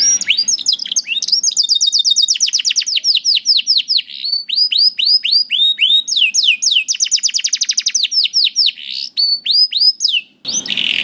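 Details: Canary song used to train young canaries to sing, long and unbroken, made of very rapid high trills of downslurred notes and quick repeated sweeps, ending in a brief noisy burst.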